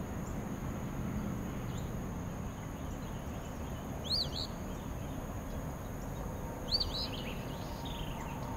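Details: Eastern phoebe at Spring Lake near meadows and wetlands, giving its namesake fee-bee: two raspy, wavering high phrases about two and a half seconds apart over a loud low rumble and a steady high whine.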